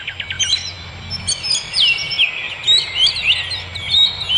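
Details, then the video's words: Wild birds singing in nature: a quick series of short rapid notes opens, then bright high whistled phrases and trills overlap and repeat, with faint low rumble beneath. "Suara kicau burung di alam"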